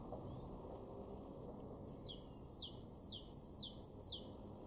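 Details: Garden great tit from Weener, East Frisia, in Germany's far northwest, March 2023. After quiet low rumble, five bright repeated phrases arrive twice a second, each a high piercing note sliding down into a softer lower one.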